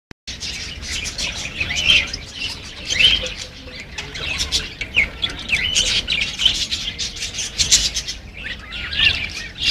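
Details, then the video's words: A baby parakeet chirps steadily, with quick high twittering notes and short rising squeaks coming in bursts every second or so. "Baby parakeet uttering to make chirping sound"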